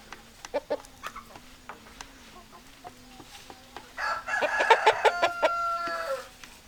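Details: Hens clucking: irregular short clucks over a low steady hum, rising into a louder cluster of rapid clucks and a drawn-out harmonic call near the end.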